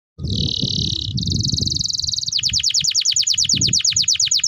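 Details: Canary song used as a master recording to train other canaries, with a long, sustained delivery: a buzzy trill held near one pitch, then a rapid train of sharply descending whistled notes, over low background rumble.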